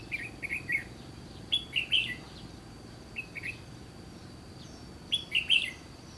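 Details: Red-whiskered bulbul singing near the Gulf of Tonkin during trapping, four crisp bubbly phrases of rising and falling whistled notes, evenly spaced, over a faint high-pitched steady tone.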